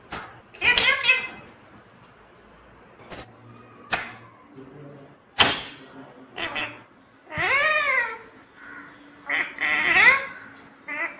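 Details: Pet parrot that talks, saying "mummy papa": speech-like, rising-and-falling harmonic syllables in irregular bursts, some sharp clicks between them, with quiet background music.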